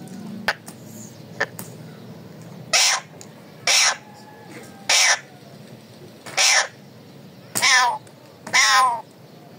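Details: Pet parrot giving loud, harsh raw calls, six broad screeching bursts spaced about one second apart, each short and grating, after a quieter start with faint clicks and low background hum.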